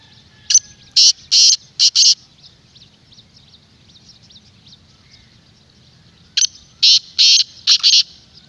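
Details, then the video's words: Black francolin call used to attract wild birds: a phrase of five rough, grating bursts, a long pause, then the same phrase repeated; steady low hum behind. "پوری ویڈیو کی آواز اپنے تیتر کو سناؤ انشاءاللہ جنگلی بھی بولنے پر مجبور ہو جائے گا"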